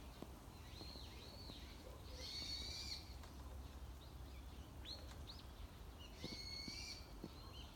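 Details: Unseen wild birds in a morning landscape: faint thin whistled phrases and short upslurred notes from more than one bird, spaced a few seconds apart, over constant low background rumble.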